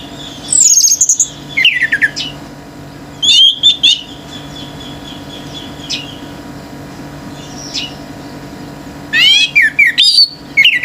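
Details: Orange-headed thrush, a male in nonstop 'gacor teler' singing that excites other birds, giving separate loud phrases of sliding whistles and slurred notes spaced by pauses, with a thin high whistle trailing between them and a faint background hum.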